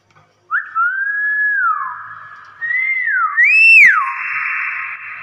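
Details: Common hill myna giving clear whistled notes. A long steady tone falls away, then a rising-and-falling slide follows, and a final bright upswept whistle fades into a sustained hum.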